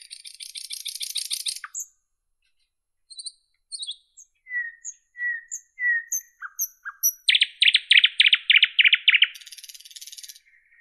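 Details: A nightingale delivers a varied phrase: a dry high rattling trill, silence, soft thin whistles, a string of clear slurred notes, then a loud rapid throbbing series of descending notes ending in a harsh buzzy trill.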